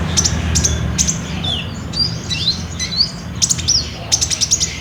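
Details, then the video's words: Lively olive-backed sunbird (ninja type), used as a lure to get caged sunbirds singing, phone-recorded: sharp high tweets and slurred whistles, some in fast clusters of three to five notes, above a low background drone. "PAKAI PANCINGAN KOLIBRI NINJA GACOR INI PASTI BUNYI"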